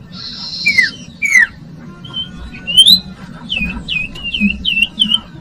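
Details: Common iora song for attracting young birds: a buzzy trill and two falling whistles, then a row of quick looping whistled notes repeated about five times.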